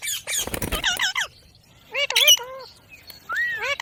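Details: Talking ring-necked parakeet: harsh rasping squawks first, then a pair of wavy, undulating speech-like notes and a final rising-then-falling drawn syllable.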